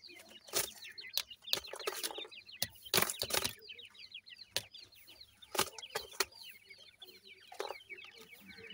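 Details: A crowd of grey francolin chicks keeps up continuous high, falling peeps while playing, the chatter punctuated again and again by loud knocks and scraping bumps.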